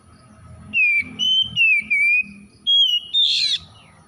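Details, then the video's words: Oriental magpie-robin, an untrained 'bahan' bird, reacting at once with a 'gacor' burst of song: six loud clear whistles, slurred and gently falling, the last rising into a harsh buzzy note, over faint low rumble. "KACER BAHAN LANGSUNG REAKSI BUNYI GACOR"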